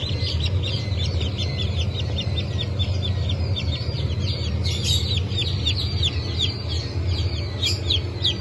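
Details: A crowd of freshly hatched Brahma chicks, blue, black and porcelain, from a 2 September 2023 hatch, giving shrill downward-sweeping cheeps in quick overlapping series throughout, with a constant low droning hum beneath.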